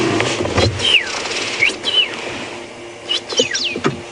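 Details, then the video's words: At dusk on 8 June 2015 in Djuma Game Reserve, South Africa, a thrush calls near the road on an evening safari drive, giving clear, slurred whistles, some falling and some rising, in short bursts, over a low vehicle rumble. "I'll have to drive him under a large thorn tree shortly. On the road. Thrush. You can hear the thrush. See if we can"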